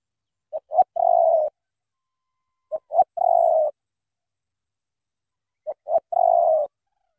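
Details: Spotted dove from Cà Mau, Vietnam, gives three clear phrases roughly every two and a half seconds. Each is two quick short notes followed by a sustained soft coo.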